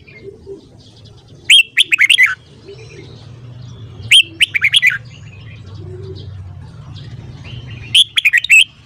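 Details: Red-whiskered bulbul singing in the morning: three short, vigorous phrases of quick, bubbling whistles, each of five to seven notes, about three seconds apart, with a low hum between.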